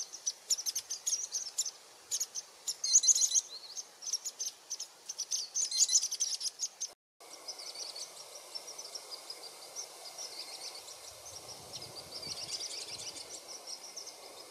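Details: Varied sittellas in Australia's Capertee Valley, at a nest followed from eggs to fledglings, give thin, high chips in quick, uneven bursts, several a second, over a steady hiss of insects and background birds.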